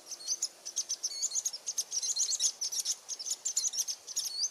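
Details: Varied sittellas (Daphoenositta chrysoptera) of Australia give a rapid, continuous string of thin, very high chips and twittering notes, several per second, over faint background hiss.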